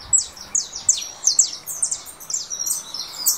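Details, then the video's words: Saffron finch, russo type, leaving molt and competing with a canary recording from a phone: dense run of bright, high slurred chirps that grows busier and more overlapping toward the end. "Canário da terra russo."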